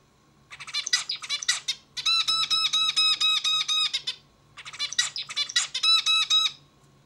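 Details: Zebra finch sings two complete motifs indoors, each starting with rough buzzy notes and continuing into a regular string of nasal, stacked beeping syllables, separated by a short pause, low hum behind.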